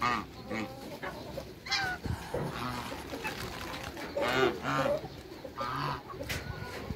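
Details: Two Toulouse geese in a backyard shared with other waterbirds give loud, brassy honks in separate bursts roughly a second apart, some rising and falling, over clucking poultry and farmyard clatter.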